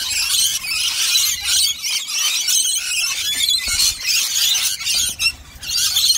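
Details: Many rainbow lorikeets feeding on nectar of powder, honey and warm water: dense bursts of raspy, piercing squeals that swell and dip, with brief lulls between waves of noise.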